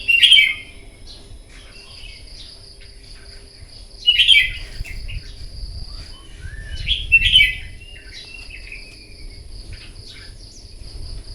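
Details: Red-whiskered bulbul, a wild-caught bird, singing competitively in the morning: three loud, rich whistled phrases sweeping down, spaced about three to four seconds apart, over a steady high whine and low rumble.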